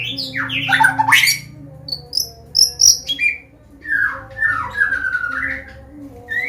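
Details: White-rumped shama, Medan type, singing a varied combination song used to teach and provoke young birds: sweeping scratchy notes, high sharp whistles, then long warbled falling whistles, with a low background hum.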